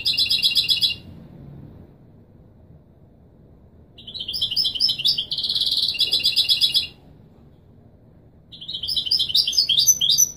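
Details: European goldfinch singing authentic Wīdānī Marrakchi song for young birds to learn: three separate bursts of bright, fast, high twittering and buzzy trills, each a few seconds long, with long quiet spells between them.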